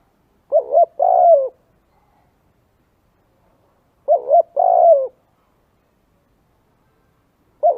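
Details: Cooing of a spotted dove for luring doves: three phrases at an even pace, each made of two quick low notes and a fuller drawn-out coo, with clean silence between.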